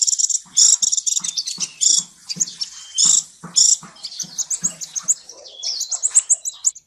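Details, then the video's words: Sunbird in a clean recording without background noise, pouring out dense, scratchy high twittering with bursts of sharp squeaky notes and quick upslurred chirps that tumble into a brief rising flourish at the end. "Tiếng chim hút mật 7 màu không tạp âm"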